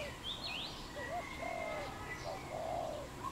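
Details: Wild dove calling in Cambodia, 23 April 2020: low, hollow two-part coos, a brief rising note then a drawn-out coo, mixed with higher whistled and swooping notes from other birds in the background.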